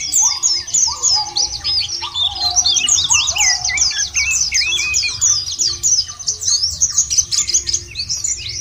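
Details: White-eye lure song for rousing birds: quick, jumbled high chirps and trills stream without pause, over a run of lower rising-then-level whistles repeated about once a second.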